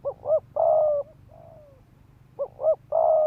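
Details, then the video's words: Decoy spotted dove giving fast provoking coos: two short notes and a long level coo, a faint soft falling coo, then the phrase again. This calling is used to bring males in to fight. "Tiếng chim cu gáy mồi đất Thúc Gù kích bổi máu chiến"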